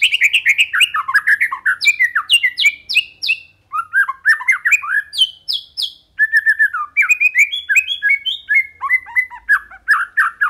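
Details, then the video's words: White-rumped shama in rich, continuous song within a minute of starting: fast, varied whistled phrases jumping between low fluty notes and high bright trills, each phrase changing every second or so. "MURAI LELET BUNYI SEKETIKA GACOR"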